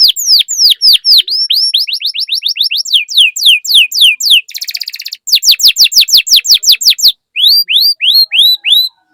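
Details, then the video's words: Canary song played to get other canaries singing: long fast series of downslurred whistled notes, a short buzzy rattle, another rapid series, then a few spaced curved whistles. "Pancingan Burung Kenari Gacor Cuit Cuit Masteran Kenari Paud"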